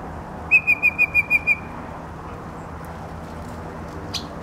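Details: Yellow-breasted chat singing from arundo along the Santa Clara River in Oxnard; a rapid run of seven clear, evenly spaced whistled notes on one pitch lasting about a second, followed by steady background hiss and a faint click.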